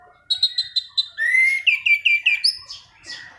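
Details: Orange-banded thrush singing a continuous rolling song, kept as a tutor or lure: a burst of short repeated chips, then a long rising whistle flowing into fast falling whistled notes.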